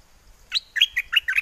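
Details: Bulbul in a cage at Chana, Songkhla, Thailand, singing wild-style to attract a mate on a windy day: a brief burst of five or six sweet, slurred chirps following a short pause.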